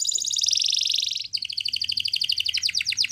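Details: A yellow canary singing in the morning delivers a dense high rolling trill, then a run of rapid pulsed notes that turn into quick rising chirps, over a soft low background rumble.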